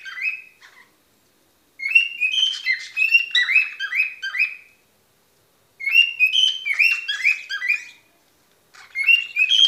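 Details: ['Whistling from a pet cockatoo: quick strings of sharp, squeaky, descending chirps delivered in bursts of several seconds with brief pauses between them, with no other sounds.']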